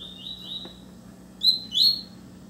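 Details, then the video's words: Double-collared seedeater singing at another bird: a faint drawn-out whistled phrase, then two loud, sharp, high slurred notes in quick succession, over a constant low hum. "Coleiro cantando muito na cara do chia"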